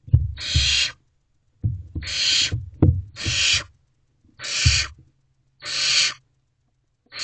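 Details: Hungry barn owl owlet begging its parents for food in Owl Box C at 2:55 am, 15 May 2023: five rasping hiss-screeches about a second apart, with low bumps and shuffling between them.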